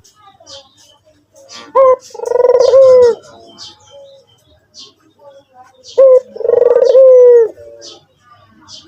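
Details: White turtle dove (puter putih) calling actively: two low coos, each a short clipped note followed by a long, rolling, slightly falling purr, spaced about four seconds apart; faint chirps and clicks behind.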